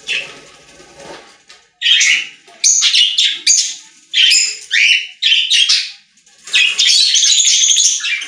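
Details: Budgerigars singing in a pet store, a chorus of many birds: dense bursts of scratchy, chattering warble with high squeaky notes, in overlapping phrases after a quiet start.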